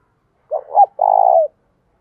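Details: Spotted dove kept as a decoy, cooing to prompt other doves to answer fast. One phrase: two brief throaty notes, then a drawn-out, vibrating coo that dips at the end. Silence otherwise.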